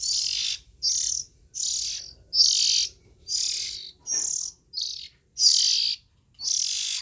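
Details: Young Oriental magpie-robin nestlings calling: harsh, hissing bursts, each about half a second long, repeated roughly every second in an uneven series with short silent gaps between them. No other sounds stand out.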